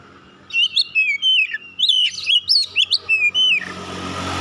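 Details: Oriental magpie-robin that won first place in a singing competition: a lively run of clear, varied whistles, sliding and chirping notes in quick succession, ending as engine noise rises.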